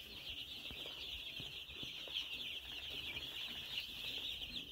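Many chicks peep together in a dense, high chorus of short, shrill cheeps that overlap without pause. Faint soft taps and shuffles sound underneath.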